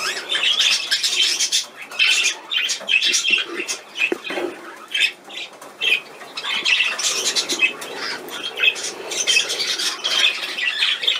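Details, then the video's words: Cockatiel chick being hand-fed, giving bursts of hoarse, rasping begging squawks, pulsing in rapid runs with short pauses between them over about eleven seconds. "Handfütterung Nymphi"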